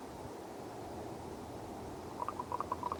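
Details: A Common raven up in a pine tree in the mountains at Conifer, Colorado, makes unusual sounds: a quick run of about seven short, hollow, knocking notes in under a second, after steady rushing background noise.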